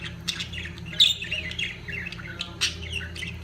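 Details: Budgerigars in the peak of mating give high, scratchy twittering, quick chirps and one louder squawk near the middle, with overlapping voices over a faint background hum.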